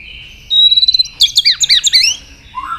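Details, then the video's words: White-rumped shama stirred to competitive singing, giving a steady high whistle followed by a burst of rapid, bouncing twittered notes and a short falling slur. "kích lửa cho chòe lửa căng lửa. chòe lửa tạch đập liên tục. sàn cầu kích lửa cực nhạy.đảo giọng tốt"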